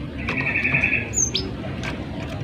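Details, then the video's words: Gelatik batu (cinereous tit) in active song, a tutor recording: a steady buzzy rattling trill lasting about a second, then a single high thin whistle and a short downslurred note. "Masteran gelatik batu gacor agar burung gelatik lain ikut Gacor"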